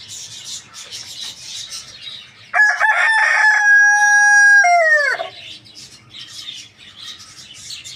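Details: Rooster crowing loudly in the morning: one long harmonic crow about two and a half seconds, held steady then falling at the end, over a background of many small birds chirping and twittering.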